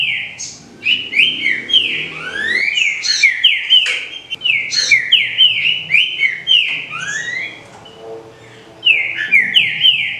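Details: Green-winged saltator song, likely a captive-bred bird: loud, clear whistled phrases of slurred rising and falling notes in quick bursts, with a brief pause near the end, over a faint low hum.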